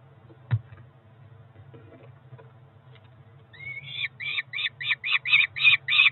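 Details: Four-week-old Peregrine falcon chick at a Cromer nest, June 2023, around feeding: quiet knocks at first, then a rising whine leading into rapid clipped harsh notes, about three per second, over a low hum.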